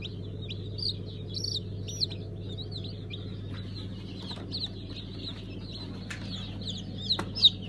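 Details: Newly hatched Brahma chicks during a hatching at a new hatchery on 5 August 2019, at Kurban Bayramı, giving high, thin, rising and falling peeps in quick irregular bursts over a steady low machine hum.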